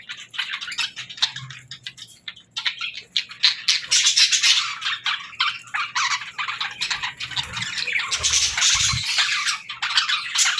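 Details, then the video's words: Pet parrot at the start of its morning routine, giving a dense, rapid stream of high chirps and squawky tweets that continue nearly without pause, with a few low thumps indoors. "Parrot 🦜 Morning Routine"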